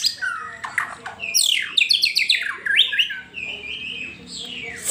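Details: Lively White-rumped shama song played to stimulate a pet bird's singing: dense tumbling phrases of rising and falling whistles, buzzy chatters and clear sustained notes packed closely together.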